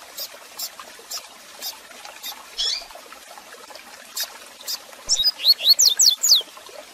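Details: Double-collared seedeater singing the Tui Tui Zel Zel style with chirps, used as a tutor song for teaching young males; scattered sharp ticks lead to a brief, fast burst of high, sweeping slurred notes near the end.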